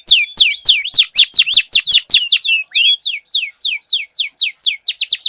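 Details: Duelling canaries sing long rolls: evenly spaced, sharply downward-sweeping notes repeat several times per second, with sharp clicks under the first half and clearer, spaced sweeps afterward.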